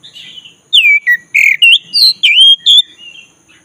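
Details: Black-breasted Oriental magpie-robin in a fast run of loud, looping whistled notes, about seven strong phrases in quick succession. The song is used to rouse a listless bird into singing. A faint low rumble lies beneath.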